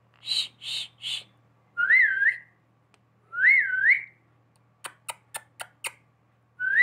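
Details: Pet parrot whistling in a human style: three short rough notes, then two drawn-out wavering whistles, followed by sharp clicks. Soft indoor hum.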